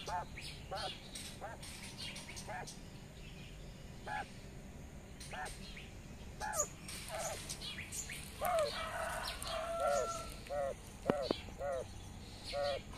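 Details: Quail hen out in the sun with her twelve chicks, calling them to follow; scattered short arched notes becoming denser toward the end, mixed with thin high chick peeps and a sharp click.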